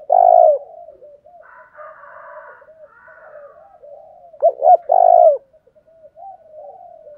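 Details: Spotted dove in 'thổ đồng thúc đấu' calling style, meant to provoke wild doves: a long coo, a stretch of quiet wavering murmurs with a faint higher rasp, then a full phrase of two short hoots and an extended coo.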